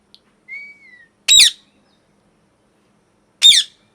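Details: Parrot, loud harsh calls: a soft, level whistled note, then two short, grating, broadband screeches about two seconds apart, each under half a second, with silence between and no other sounds.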